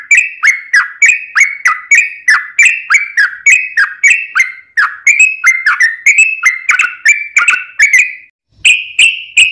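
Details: Sooty-headed bulbul song, a long-running provoking recording meant to make other bulbuls sing in reply: fast bright whistled phrases, each note sliding down then up, repeated about three times a second with a short gap near the end.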